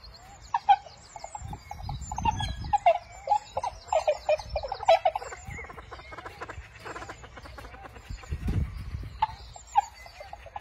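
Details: Inca terns in Peru give short, harsh, clucking calls in quick irregular bursts, several birds overlapping, with low rumbles of surf or wind underneath.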